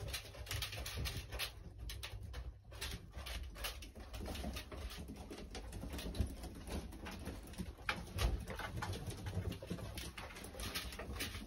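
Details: Tumbler pigeons give soft, low cooing in an enclosed space, broken by sharp clattering and rustling, with a steady low hum underneath.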